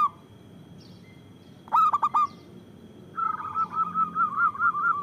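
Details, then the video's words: A local zebra dove in strong voice, used for luring and provoking lazy singers. After a quiet start comes one burst of four stuttering coos, then a fast wavering run of short, ringing notes. "Perkutut lokal gacor Suara Besar Bagus Untuk Pikat dan Pancingan"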